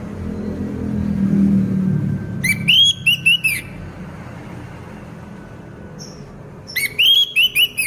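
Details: Orange-headed thrush, a caged bird in moult, singing persistently: two bursts of bright clear whistled phrases with short rising and falling notes, separated by about four seconds of low background hum.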